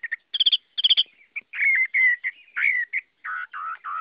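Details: Chinese hwamei (Garrulax canorus) singing a varied phrase: quick paired chirps, then loud clear whistles sliding downward, rich warbled notes and repeated slurred phrases, no other sounds.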